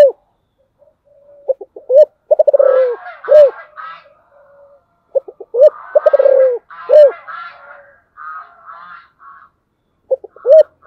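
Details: Spotted dove repeating its special giọng thổ song about every five seconds. Stuttered lead-in notes lead to arched coos and rapid pulsed rolls. Busy chattering calls of other birds overlap and fill the gaps.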